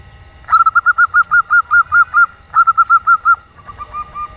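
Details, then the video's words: Female local zebra dove giving the 'nyelir' type call used to lure reluctant males into calling: a fast run of short, evenly spaced mid-pitched coos, about eight per second, then a brief pause and a second shorter run, with low background hum. "SUARA PERKUTUT BETINA L LOKAL , JENIS NYELIR AKHIRNYA DAPAT MEMIKAT PERKUTUT MALAS BUNYI"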